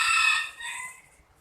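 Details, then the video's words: A loud chicken very close by: the strained, high end of a call that holds briefly, then fades and trails away within about a second. "mohon maaf, ini suara ayamnya kenceng banget karena di dekat aku emang ada ayam."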